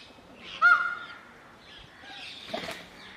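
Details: Indian peafowl (Pavo cristatus): a peacock gives one loud, nasal, honking wail that falls away after a moment, followed by a brief rustle and a soft outdoor hum.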